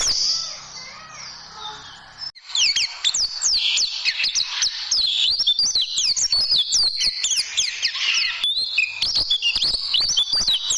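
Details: Oriental white-eye tutoring song for training caged birds, in the tembakan style: a quieter opening, then from about 2.5 seconds a dense run of high, sharply rising and falling whistled notes, with many clicking ticks throughout.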